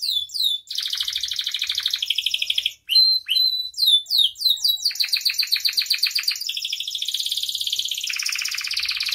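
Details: Energetic canary song with many phrases, used to train and stimulate other canaries: rapid downward chirps, rolling trills, a whistled note, then long even high-pitched rolls continuing to the end.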